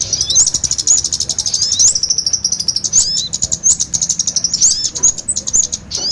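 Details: Kemade combined with sogon birds, played to lure small birds into traps: a dense, buzzy wall of high chirps with rapid clicks and occasional rising whistle flicks.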